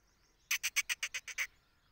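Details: Black francolin calling with eight loud, grating, rasping notes delivered in a fast burst lasting under one second, with a quiet background.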